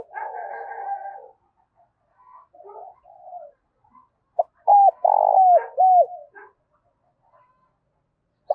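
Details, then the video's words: Spotted dove giving its morning call to attract other doves; a long, soft, steady coo opens, quiet murmurs follow, then one loud phrase of short and long slurred coos ending in a downward inflection. "Tiếng cu gáy gọi bổi buổi sáng kích bổi hiệu quả"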